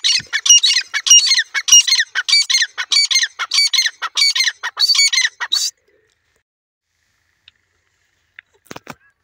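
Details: Grey francolin, also called teetar, calling: a fast run of harsh, squawking, ringing notes, closely repeated for about six seconds, then near silence with a few faint clicks.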